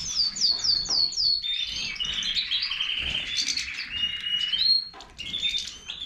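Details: A Major-type goldfinch opens with four quick descending whistled notes, then breaks into a rapid, buzzy twittering warble with bright liquid chirps.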